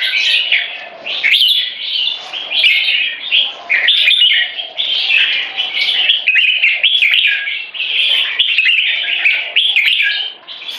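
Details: In a contest for territory, two red-whiskered bulbuls, known as jambuls, aged 3.5 and 7, sing butir frequency song. Vigorous, tightly packed chattering phrases of high whistled notes repeat in surges, separated by brief breaths.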